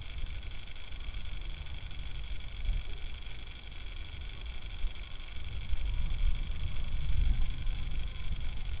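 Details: Steady low rumbling hiss from an outdoor camera microphone, with no owl call or other animal voice.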